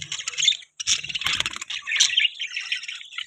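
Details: Pet budgerigars chirping: dense, overlapping high warbles and scratchy twitters, continuous with brief gaps, with a few clicking sounds.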